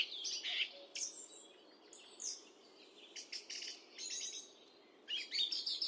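A song thrush sings loud, varied phrases of clear whistles and rich, scratchy chirps in quick bursts, each phrase differing from the last, over a faint background hiss.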